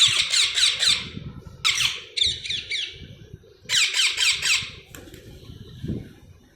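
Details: Baby parrots repeat rasping chirps in several bursts of three to five quick notes, separated by brief pauses with low room noise underneath.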